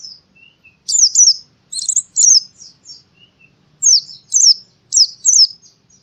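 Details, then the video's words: Singing white-eye from Central Java, Indonesia: paired bursts of very high, sharp zigzag chirps, about one per second with gaps between them, plus a few faint softer notes, over silence. "masteran burung pleci suara seperti di hutan"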